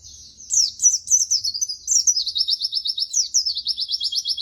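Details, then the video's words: White-eye tutor recording for training birds: continuous, lively high-pitched song of sharp chirps running into fast, evenly repeated trilled notes, with no other sounds. "masteran bahan burung pleci terbaik"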